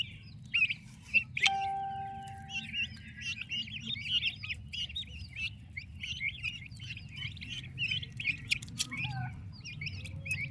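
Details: Healthy, active turkey chicks with their mother. Many high, thin peeps overlap continuously. A brief clear tonal note and a low steady hum sit under the chorus.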